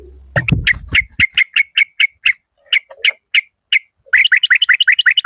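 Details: Decoy yellow-vented bulbul from the Malay strain: after a brief thump, a series of sharp 'rik' notes at a steady pitch that becomes spaced out, then a fast, even chattering rattle to the end.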